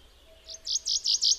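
A common chaffinch gives a quick run of five bright, high chipping notes, getting louder and about five to the second, like part of its trilled song phrase.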